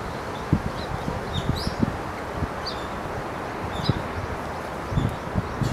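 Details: Brambling giving short, thin, high call notes at irregular intervals, partly masked by steady low rustling and soft thumps as if from movement through dry leaves.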